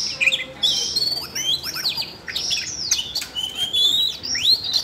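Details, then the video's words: Red-throated thrush, a caged bird prompted into song by training audio played for a young bird: varied sweet whistled phrases with rising and falling slurs, fast chattering notes between them, continuous and lively. "chú oanh cổ đỏ nổi hứng hót chuyện"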